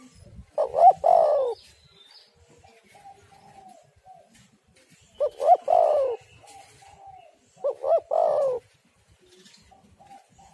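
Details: Spotted dove call used to lure doves and prompt them to sing: three loud cooing phrases about every three seconds, each a few short notes running into a longer falling coo, with faint bird chirps between.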